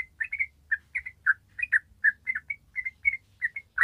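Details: Yellow-vented bulbul delivering its long rapid 'ropel' chatter, used as a lure for untrained birds: a steady string of about fifteen bright chirped and warbled notes, roughly four a second.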